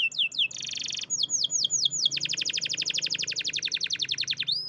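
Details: Champion canary singing: rapid sweeping high notes, a brief buzzy block, more swept notes, then a long fast rolling trill of repeated notes to the end.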